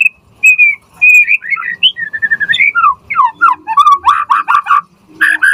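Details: Murai batu, the white-rumped shama, singing richly varied song meant to provoke a quick response from other shamas and to tutor them: clear whistles, slurred rising and falling notes, then a burst of rapid sweeping phrases.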